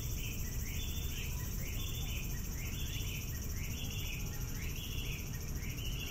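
Chinese bamboo partridge giving a steady series of ringing, up-and-down notes, about one per second, over a heavy low rumble of background noise.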